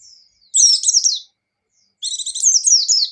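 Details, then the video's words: High-pitched white-eye song, lively 'gacor' with 'ngecir' rapid delivery: dense tangled twitters and quick slurred notes in two long bursts split by a second of silence. "Suara Burung Pleci Gacor + Pleci Ngecir"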